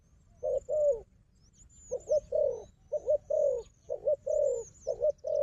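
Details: Wild dove, a strong fighter, facing a decoy bird and giving low hollow coos: short double notes alternating with longer rolling coos, roughly one phrase per second, with faint high bird chirps behind.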